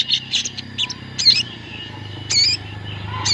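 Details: Sooty-headed bulbul flock lure for prompting song. Scattered short chirps and a few clear, sweeping whistled notes with gaps between, over a low rumbling hum.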